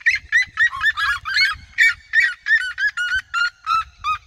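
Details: Red-legged seriemas in a flock in open campos, singing close around the observer: loud, strident yelping notes in fast succession, slightly uneven rhythm, faint low rumble beneath.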